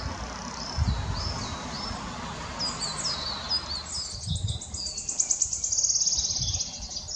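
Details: Singing male Wood Warbler at Dove Stone RSPB, Oldham, Greater Manchester, on 11 May 2021: high ticking notes speed up into a shivering, accelerating trill that lasts several seconds, with earlier scattered high notes and low background rumble.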